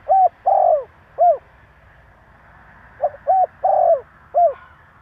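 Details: Spotted dove cooing to stir up other doves: two full phrases about three seconds apart, each a husky coo, a longer buzzy coo and a clipped final coo.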